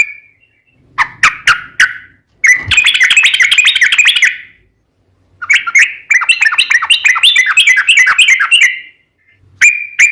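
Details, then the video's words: Sooty-headed bulbul in lively, long rolling song; a few separate chirps open, then two long bursts of fast bubbly chatter with a short gap between them. "SUARA trucukan gacor ropel panjang PANCINGAN TRUCUKAN agar bunyi"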